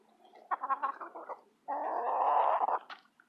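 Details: Eight hens bickering over a mealworm treat give a quick run of harsh, croaking squawks, then a longer, rough, gargling squabble of overlapping calls.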